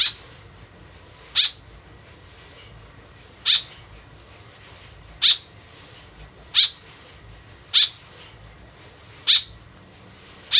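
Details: White-breasted woodswallow (kekep babi) calling freely, the sound used as a lure: around eight brief, buzzy, harsh notes repeated every one to two seconds over low background hum.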